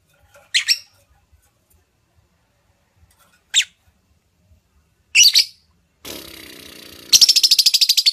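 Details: Female lovebird, kept as a pet, calling to draw song from another lovebird: scattered sharp squeaky chirps, then a burst of noise and a fast, even series of high buzzy pulses.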